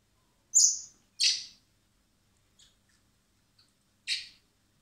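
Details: Spring hand-feeding of common blackbird chicks in a wildlife recovery centre prior to release; two quick high begging squeals in succession, a few faint ticks, then a third harsh squeal near the end.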